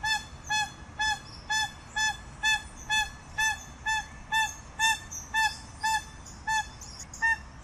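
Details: Crested guan: a regular train of resonant, nasal honking notes, just over two per second, steady in loudness, with light high chirping from other birds.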